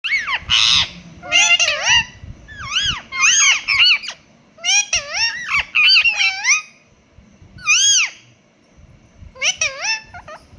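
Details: A pet rose-ringed (Indian ringneck) parakeet imitates a cat's meow, giving bursts of rising and falling meow-like squeals and chatter in quick clusters separated by short pauses.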